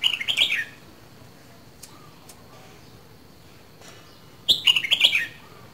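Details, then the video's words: A caged Red-whiskered bulbul from Dak Lak, Vietnam, two seasons old, sings a brief bright warbling phrase. After a pause with faint clicks, a second, longer run of chirpy whistled notes follows. "CHÀO MÀO LÂN DAK LAK 2 MÙA SIÊU BỘNG"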